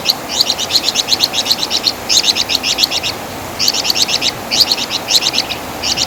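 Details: Flamboyan bird (Wergan Jawa), a master recording for teaching cage songbirds; repeated bursts of sharp, fast, ringing chatter, each burst of several quick doubled notes, coming in close succession.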